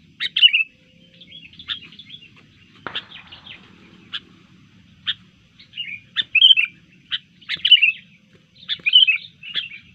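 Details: Sooty-headed bulbul, disturbed and in fighting mood, gives bright bubbly whistled phrases separated by short sharp chirps, bursts coming every second or so over a faint low hum.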